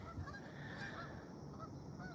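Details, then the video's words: Geese, seen and heard nearby on a Saturday morning dog walk, honk in short nasal bursts, with several overlapping calls through two seconds over a steady low outdoor rumble. "Oh, hey, there's geese over there. Can you hear them?"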